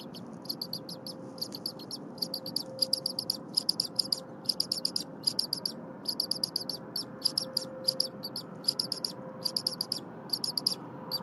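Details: Eaglet with a stuffed crop at the Berry College nest, January 23, 2022, chirping incessantly as its mother prepares stiff leftover prey. Long run of shrill peeps in repeated clusters of three to six, above a low steady hum.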